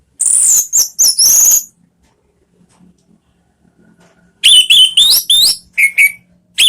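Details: Caged orange-headed thrush singing as a lure for pet birds: a burst of very high slurred whistles, silence, then a lively string of lower rising whistles and sharp notes.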